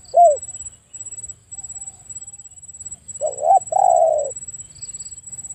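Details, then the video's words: A brief hooked note from a spotted dove, a pause of about three seconds, then a fuller phrase: a double upturned note flowing into a long level coo. A steady high whine continues throughout. "Spotted Dove Sound"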